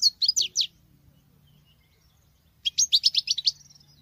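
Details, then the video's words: European goldfinch female delivering male-like song in two bursts of rapid, high chattering notes, the second a tumbling series of bright tinkling twitters, separated by about two seconds of quiet with a faint low hum. "Femelle chardonneret qui chante que le mâle"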